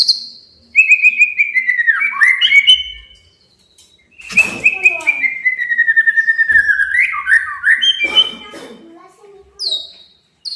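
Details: Male white-rumped shama singing to provoke a rival: whistled notes slide into a fast rattling trill near the middle, then rising and falling phrases and scattered sharp clicks. There are brief gaps between bursts.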